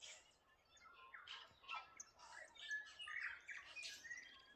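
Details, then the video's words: A short stretch of Waikawa birdsong: rough, squawky notes mixed with bright chirps and slurred whistles, several birds calling over one another without pause. "Waikawa Bird Song"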